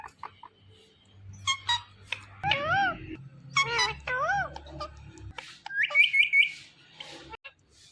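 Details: Indian ringneck parakeet mimicking speech while calling its own name, a run of sweeping, wavering syllables and clicks, then a short rapid whistled trill, with a steady low hum behind.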